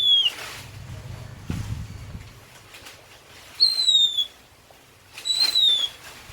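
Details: Oriental magpie-robin (kacer) in full song: three short whistled notes, each falling slightly in pitch, spaced a second or more apart, with soft rustling and low background noise between them.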